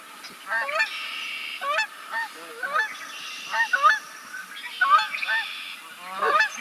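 Canada Geese honk in loud, nasal two-part calls rising at the end, repeated irregularly about once a second, several birds overlapping.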